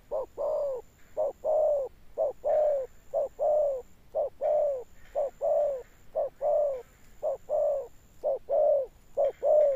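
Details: Spotted dove with a thunder-like, long-lasting coo: loud, deep, hollow notes delivered in even short-long pairs, about sixty per minute, against a faint steady high electronic tone.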